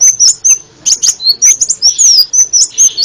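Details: Dense, excited sunbird (kolibri ninja) song from a bird-training masteran: quick high squeaky whistles and sharp upslurs packed closely together, with light background noise.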